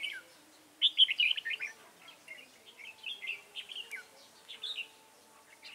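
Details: Red-whiskered bulbul singing while being trapped with a lure bird, recorded 29 June 2018: bursts of bright warbled, chattering phrases, a loud burst near the first second followed by softer scattered notes.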